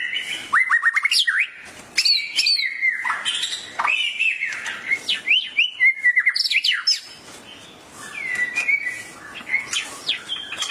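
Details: Agitated white-rumped shama (murai) answering a masteran training recording with energetic song: descending whistled slurs, rapid chattering notes and bright rising phrases, interrupted by a short quieter lull before resuming.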